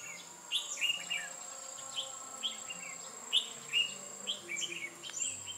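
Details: Red-whiskered bulbul decoy singing during trapping, 8 October 2017: steady series of loud whistled chirps roughly every half second, slurring up and down, above a faint high whine and low hum.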